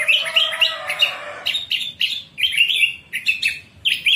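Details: Orange-headed thrush singing a morning ngeplong-style song, played to train caged birds and coax silent ones back into song; bright, sharp chirped phrases in quick bursts, opening over a lower sustained whistled tone, with short pauses between.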